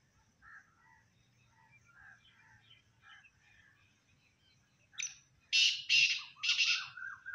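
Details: Quiet chirps of small birds give way to a black francolin's loud phrase: a sharp lead note and three rough, rasping syllables ending in a lower tail.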